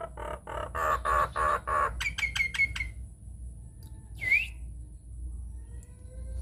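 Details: Lure song of a Nias hill myna meant to spark singing in other mynas: a rhythmic series of throaty pulsed notes, then ringing repeated whistles, followed by one loud upward-swooping call.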